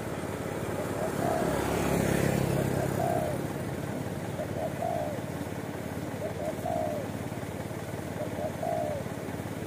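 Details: Spotted dove living wild at a roadside watering post in Indonesia, not yet caught by bird luring. Soft coos repeat about every two seconds in a steady series, with constant vehicle engine noise below.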